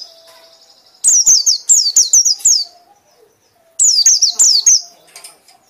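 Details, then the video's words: White-eye singing in the loud ngekek style: two bursts of rapid, high, sharply descending whistled notes, each note sliding downward, four to six in quick succession, separated by a quiet pause with faint low hum. "pleci anda akan ngekek ngekek keras"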